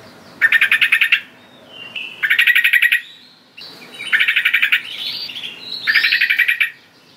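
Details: Lure call of the sooty-headed bulbul (trucukan): four separate rattling bursts of rapid notes, each under a second, spaced about two seconds apart, with faint rising whistles between the later bursts.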